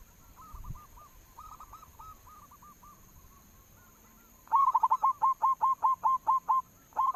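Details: Local zebra dove lure sound: quiet drawn-out coos at first, then a loud steady run of about ten short hooked whistled notes.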